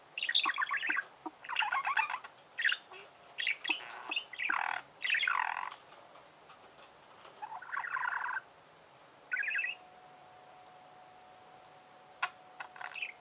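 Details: Budgerigar chattering in rasping, buzzy bursts for the first half, then a few scattered chirps and clicks as it grows quieter, with a faint steady tone in the background.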